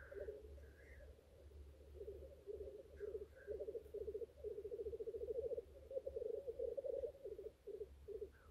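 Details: Courting male black grouse on a lek give rapid pulsed bubbling rookoos in long rolling phrases, with short whistled notes between them over a low steady hum.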